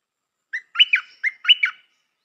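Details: Song of a Stripe-throated bulbul kept as a decoy: two matching phrases in quick succession, each a short note then a pair of loud fluty up-and-down notes, with no other sounds.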